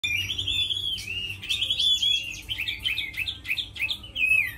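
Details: Tame Chinese hwamei, described as a good fighter that sings well, delivering loud, clear whistled phrases that slur up and down and run into quick rolling notes, with brief pauses between phrases.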